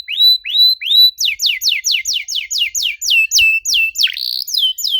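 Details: Canary in lively 'gacor' song aimed at prompting silent canaries: three rising whistles, then a dense series of sharp descending 'cuit' notes about three per second, with one buzzy slurred note near the end.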